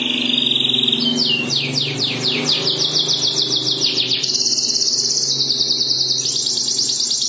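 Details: Domestic canary singing: a steady high note, then rapid descending sweeps, then long fast buzzy trills at two pitch levels, over a low background hum.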